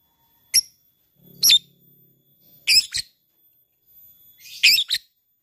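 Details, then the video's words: Labet fighter bird calling an opponent, in ngetik style: sharp, high, clicking chip notes given singly and in doubled bursts about once a second, with a faint low hum at times. "LABET memanggil lawan | ngetik ngekek"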